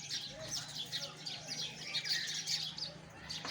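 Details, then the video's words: Sparrows chirping together in a dense, overlapping chorus of short high twittering notes, with a faint steady low hum underneath. "Listen the voice of sparrow"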